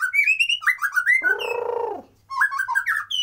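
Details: Unedited white-rumped shama song meant to prompt lazy birds to sing and come into condition: fast bright whistled phrases, a coarse rasping burst in the middle, then more rising and falling whistles.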